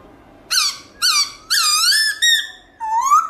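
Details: A black-throated laughingthrush gives a loud, clear song in the wild voice with many tones. Five squeaky, harmonic-rich phrases are separated by short gaps, the final one sliding steadily upward.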